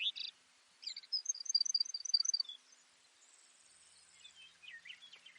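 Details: Baird's sparrow song: a high opening note, then a quick string of alternating high, thin notes that close on a slightly lower tone, followed by softer, scratchier high sounds.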